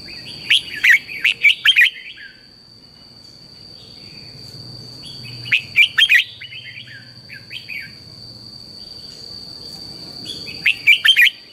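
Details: Red-whiskered bulbul morning song used to train other bulbuls: three loud bursts of rapid, warbled notes, each about a second long and spaced roughly five seconds apart, with quieter chirps between them and a steady high whine.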